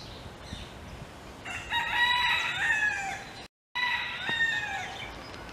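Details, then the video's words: Crowing rooster in Hawaii waking the hen, its mate. After a quiet start, a full, strained harmonic crow lasts nearly two seconds, breaks off, then a second crow-like phrase follows, with faint bird chirps behind. "Reddy's Crowing Wakes Mrs. Reddy"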